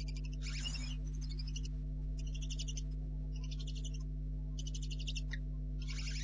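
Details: Barn owl owlets, likely two remaining, heard at 4:30 am on 4 July 2013 via a nest camera. Long, rasping hissing bursts of uneven length, one overlapping a loud thump near the start, over a continuous low hum.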